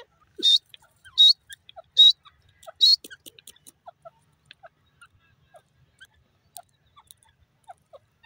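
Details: Grey francolin giving four loud, shrill, high notes, about one every 0.8 seconds, followed by scattered faint ticks and clicks.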